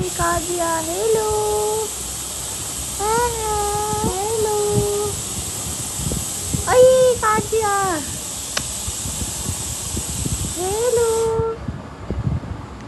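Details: Talking parrot repeating a two-part greeting like hello several times, each a tonal, harmonic phrase with a rising-falling first syllable, spaced a few seconds apart over a steady background hiss.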